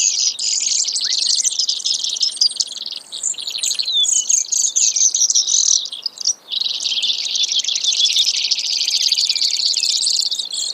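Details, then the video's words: Brewer's sparrow singing a long, dense run of high buzzy trills, with a brief pause near six seconds before another extended trilled phrase carries on to the end. "Brewers Sparrow Sound, Bird Call"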